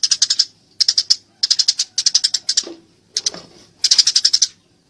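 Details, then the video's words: Fighting Eurasian tree sparrow in a clear training recording for songbirds: short clusters of four to six quick shrill chirps every half second or so, with a faint low scuffle in between. "masteran burung gereja tarung gacor suara jernih"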